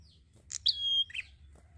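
A bar-winged prinia gives a sharp chip, a thin level whistle held briefly, then a lower twangy note, over a faint low hum.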